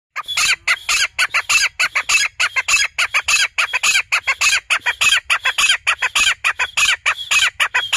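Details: Grey francolin, locally called desi teetar, a family of birds calling in a city: a loud, dense run of harsh, clipped notes fired off about twice a second without pause, overlapping into a continuous rattling chorus.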